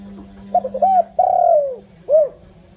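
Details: One complete lure-call phrase from a captive spotted dove used to call in wild doves: two quick notes, a long smooth coo falling in pitch, then a short rounded coo. A steady low drone sits beneath.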